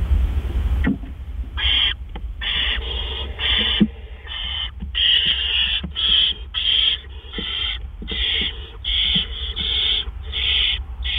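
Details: At a great horned owl nest around 1:43 AM on 10 April 2013, a gopher is brought in as prey. A long run of rough, hissing screeches follows in uneven bursts, with a constant low hum behind them.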